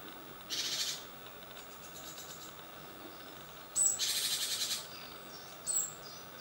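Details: Young great tits fledging from a nest box on a balcony at 7 in the morning, second brood; harsh hissing buzzy calls in three bursts, about half a second to a second long, with thin high squeaks between.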